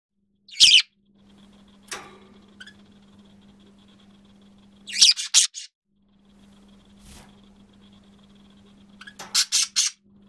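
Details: A pet male budgerigar giving falsetto calls: three short, high, scratchy chirp bursts about every four seconds over a steady low household hum.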